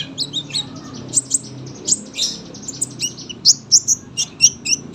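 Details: Sunbird song used for tutoring other cage birds: sharp, very high chips and short trilled bursts delivered quickly and irregularly, some notes buzzy, others thin and piercing, with a faint low hum beneath.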